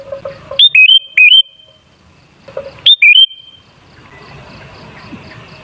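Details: Lure song of a sooty-headed bulbul to excite other bulbuls: twice a pair of fluty whistled notes, the second lower and bending upward, with soft chirps between and faint hiss afterward.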